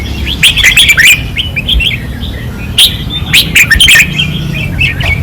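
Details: Red-whiskered bulbuls kept in cages sing hard at a training perch in Pattani, several birds trading bright, fluty warbles and sharp chirps in bursts, over a constant low background hum.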